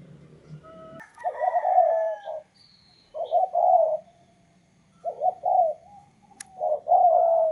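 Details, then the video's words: Decoy spotted dove on a perch, set out to attract a wild dove, calling in mellow low coo phrases every couple of seconds over faint background hum, with a brief click near the end. "chim cu gáy mồi cây"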